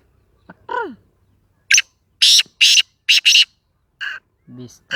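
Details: Sindhi black francolin calling: a run of loud, harsh, grating notes in a tight burst of four, then a softer pair of notes, with a brief swooping tone early on and otherwise quiet surroundings.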